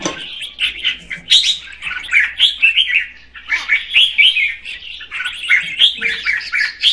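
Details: Female red-whiskered bulbul singing to rouse the male, quieter warbling and chattering phrases in clusters, bright slurred notes running continuously with a low steady hum beneath.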